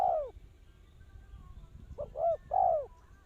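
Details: Spotted dove used to lure birds into traps, one falling coo, a pause, then a brisk short note and two longer mellow coos in succession.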